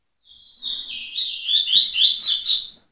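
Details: Double-collared seedeater singing the tui-tui song style: a thin whistled opening near one pitch, then a fast run of bright, sweeping, chattering notes that grow louder toward the end.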